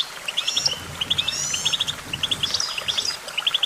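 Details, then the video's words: Brief goldfinch song made of steady groups of three or four crisp, evenly spaced chips, mixed with a few higher slurred whistles. "Vocal virtuoso: activating enhancing your goldfinch songbird prowess"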